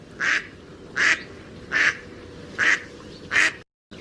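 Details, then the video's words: Mallard duck quacking five times at a steady pace, each call a short rasping burst roughly three-quarters of a second apart, ending in a short silence. "Mallard duck | Natural Sound effects."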